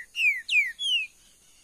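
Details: Caged green-winged saltator, known locally as trinca-ferro verdadeiro, sings three loud, clear whistled notes. Each note slides downward, and the phrase ends in a slightly higher, longer slur. The background is quiet.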